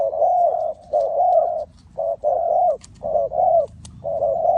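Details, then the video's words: Spotted dove in Ninh Thuận, Vietnam, calling during bird trapping: a steady run of mellow, low coos in short-long pairs with brief gaps, plus a few faint clicks. "Cu gáy Ninh Thuận,นกเขาใหญ่สายต่อดิน,Tekukur pikat,The Sound Of dove"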